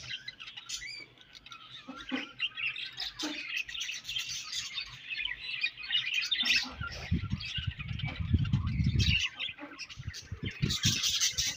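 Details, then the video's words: Morning chatter from a budgerigar colony: overlapping high chirps and squeaky warbles run steadily, while low thumping and rustling noises rise underneath in the second half. "𝑩𝒖𝒅𝒈𝒊𝒆𝒔 𝑪𝒐𝒍𝒐𝒏𝒚 𝑪𝒉𝒊𝒓𝒑𝒊𝒏𝒈 𝑺𝒐𝒖𝒏𝒅𝒔 𝑰𝒏 𝑻𝒉𝒆 𝑴𝒐𝒓𝒏𝒊𝒏𝒈"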